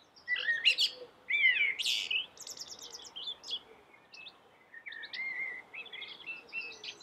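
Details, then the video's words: Common blackbird singing sweetly: loud mellow warbled phrases with sliding notes, followed by fast, thin, chattering high notes and further softer fluted phrases. "suara merdu common black bird"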